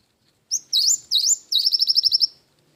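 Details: Cinereous tit giving bright, high whistled notes followed by a rapid trill of about nine sharp repeated chips lasting under a second, clean and close with a quiet background.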